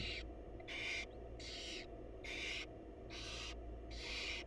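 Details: Loud, rhythmic barn owl hissing at a wild monitored nest box while the mother feeds her chicks: six strong rasping bursts, about one every three-quarters of a second, over faint low hum.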